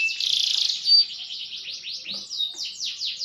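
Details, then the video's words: Green canary singing a dense buzzy trill that gives way to a string of quick, evenly spaced sweeping whistles, a lively maturing bird's song. "burung kenari hijau makin dewasa wakin baik kicauan nya"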